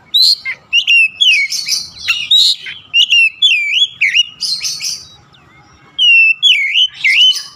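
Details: Oriental magpie-robin in busy, energetic song: dense strings of wavy whistles, scratchy notes and high chips, pausing briefly before a final swooping flourish. Played to bring a stalled kacer back into song.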